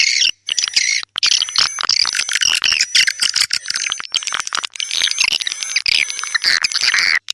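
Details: Swiftlets in a dense chorus of rapid, overlapping chirps and harsh twitters, with short gaps of silence. Thin, steady high whistling tones run through much of the recording.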